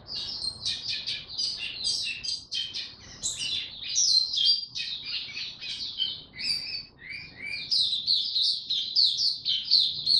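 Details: Caged Oriental white-eye (mata puteh) being brought into form, singing in buka tiong style: a fast, continuous run of high, thin chirps and twitters, tightly packed with barely any pause across the whole stretch.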